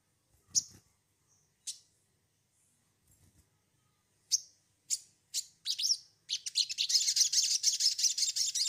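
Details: Sogon, used as a lure recording to get another bird calling: scattered high, sharp chirps building into a fast, continuous chattering run, with a few soft low thumps early on.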